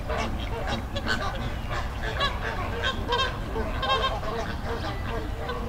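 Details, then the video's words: Flamingo flock in a river in the Dominican Republic, wild birds giving dense, overlapping nasal honks that repeat constantly over a steady low rumble. "Sound Effect Of Flamingo Flock"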